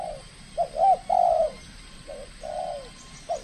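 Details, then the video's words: Spotted dove trained for calling matches, on its first contest: a stuttered short note, a bowed hoot and a long sliding coo, then a quieter repeat of the same phrase. "TEKUKUR SI BINTANG PERDANA LAGA LANSUNG KELUARKAN SKIL NYA"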